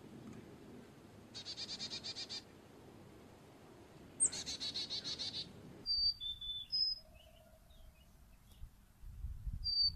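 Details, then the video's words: Carolina chickadee giving two bursts of rapid, buzzy, rasping notes repeated about ten times each, then a series of clear, high whistled notes stepping up and down, with faint low rumbling behind. "Chickadee call / song / sounds"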